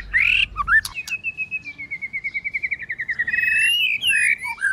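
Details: White-rumped shama training recording of many voices, with a female singing to stimulate males. A few quick whistles lead into a long, steady warbling trill that slowly falls in pitch, ending with rising and dropping whistles.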